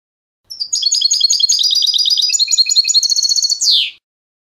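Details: Goldfinch song in clean recording: quick series of bright twittering notes, rattling trill in the second half, closing with a harsh buzzy descending note.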